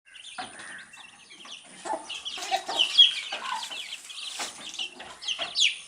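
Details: Baby chicks chirping while eating earthworms; scattered high, short peeping notes among pecking and scratching noises, uneven in rhythm.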